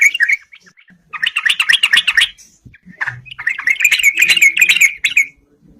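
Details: Yellow-vented bulbul singing vigorously to challenge rivals to fight, a song used as a lure: bursts of bubbly, chattering notes in quick runs, broken by brief pauses, then a longer rolling phrase.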